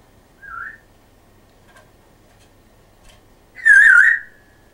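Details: African grey parrot known for its Yorkshire-accented talking gives a soft short whistle, a long pause, then a loud, wavering whistle.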